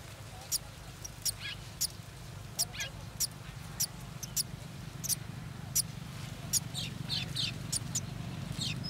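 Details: Golden sparrow nestlings waiting to be fed. Rapid, high, insistent cheeps, several of them slurring downward, follow one another every half second or so, over a low rumbling hum that grows louder toward the end.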